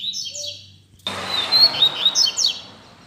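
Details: Double-collared Seedeater (coleiro), a caged bird of the Altas Horas song style said to have lots of fibre and to sing a lot, gives a bright high warbled phrase of quick trills and slurred notes after a brief pause, with faint background noise.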